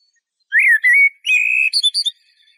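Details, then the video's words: Eurasian blackbird singing: a mellow fluted warble near the low-middle register, a sustained whistled note, then a quick burst of thin, higher twittering notes to finish the phrase. "تغريد طائر شحرور (جحمومية)Merle noir"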